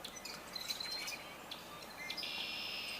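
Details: Probable rusty blackbird (observer pretty sure, bird unseen) near waterfowl on 8 April 2023, giving thin, squeaky high notes and a drawn-out creaky, rusty-hinge whistle over faint outdoor hiss.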